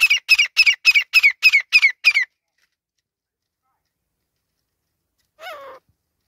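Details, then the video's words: A male grey francolin gives a rapid run of eight harsh, high notes over about two seconds, then a single falling note after a short pause. "Teetar ki Awaz | Arni teetar ki awaz Teetar ladai | Francolin Sound | Male Teetar ki awaz"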